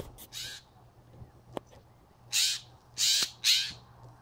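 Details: Blue jay, probably with a nest in a nearby tree, scolding a cat it can see through an open window: harsh, raspy calls, one faint early cry, then three loud rasping bursts close together near the end, over a low hum.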